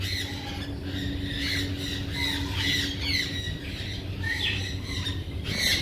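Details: Parrot squawking in rough, nasal repeated shrieks, moderately loud, with a noisy background hum and rumble beneath the calls.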